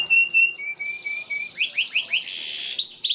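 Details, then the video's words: Canary singing a long continuous trigger song used as a lesson for young canaries learning to sing: thin high whistled notes, then quick upslurred chirps and a dense buzzy trill, fast and unbroken. "PANCINGAN Kenari GACOR PANJANG Cuit2 EMOSI ini AMPUH utk MASTERAN Kenari PAUD belajar BUNYI"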